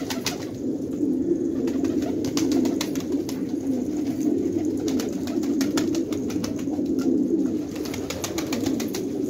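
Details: Flock of fighting tumbler pigeons kept in an Afghan village at Khanabad, giving continuous overlapping low coos that swell and fade, with frequent dry clicking sounds over the top.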